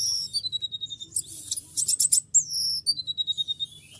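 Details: Excited konin in breeding condition, seeing a female, sings varied high phrases: falling whistled slurs, quick chips and a rapid burst of buzzy notes, with rhythmic tapping pulses throughout.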